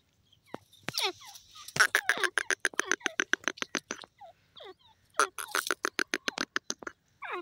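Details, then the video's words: A francolin, described as a desi or Irani teetar, gives a rapid run of harsh, clipped notes, about three or four a second, broken by a few slurred, descending squeals. "dasi Teetar bird sound,irani teetar ki awaaz"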